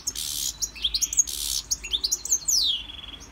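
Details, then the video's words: Caged European goldfinch singing in a Victorian brass cage during song training: bright, high twittering notes and quick rising and falling slurs, broken by harsh buzzy bursts, with faint low hum behind. "Goldfinch singing"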